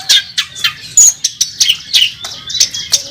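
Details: Competing Oriental magpie-robin, national first-place champion, singing hard at the contest track: sharp high whistled notes about once every quarter second, with some slurred downward phrases and brief harsher chips.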